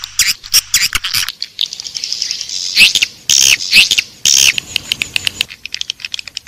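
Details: Edible-nest swiftlet lure sound, Raja Liur Emas, intended to attract swiftlets into a swiftlet house: sharp high clicks and chirps mixed with loud buzzy twittering bursts over a faint low hum.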